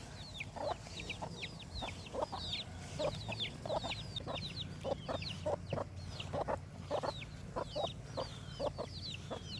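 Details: A farm chicken chorus of busy, thin descending peeps, joined by soft, regularly spaced low clucks, with a constant low background drone.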